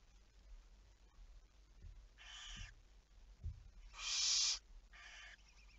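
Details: Barn owl, 11 May 2019 at 23:34 at night: a softer hiss, then a loud harsh screech, then a fainter rasp, all within about three seconds.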